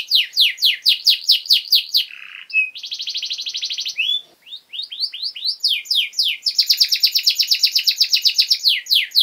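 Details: Canary singing to tutor young birds: rapid descending notes, a low buzzy note, a long mechanical trill, a short dip, sweeping whistles, then an extended fast buzzy rattle mixed with sharp notes.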